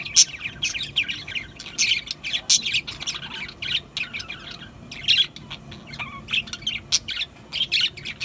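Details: Lively budgerigar warbling, many quick chirps and harsh squawks crowding together with brief pauses between clusters.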